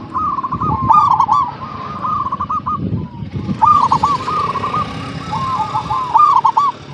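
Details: Zebra dove of local stock in full song, used to coax other doves to sing: rippling staccato cooing phrases repeated over steady traffic-like engine noise and rumble.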